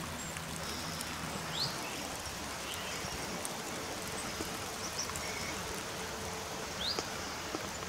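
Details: A grey wagtail at Dean Brook, Bishops Cleeve, Gloucestershire, gives three sharp, high, rising 'tzit' calls, spaced a few seconds apart, over the steady rush of a stream.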